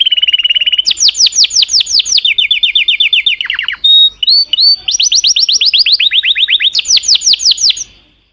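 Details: Canary song shifting between tours: a low trill, then high falling repeated sweeps, a lower rapid rattle, brief whistled notes, and more sweeping high trills, all delivered in quick succession.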